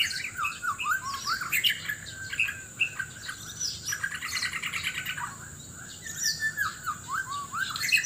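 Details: White-rumped shama in Sabah, Borneo, in a loud mate-seeking song contest: fast jumbled whistles, upslurred notes and buzzy trills in dense succession, over a constant high whine and background hiss.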